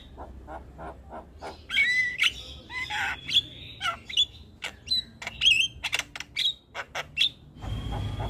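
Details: Javan myna in lively, unbroken chatter. Soft ticks lead into loud rasping squawks and bright whistled notes. The notes are mixed irregularly, with clicks between them and a low rumble at the very end.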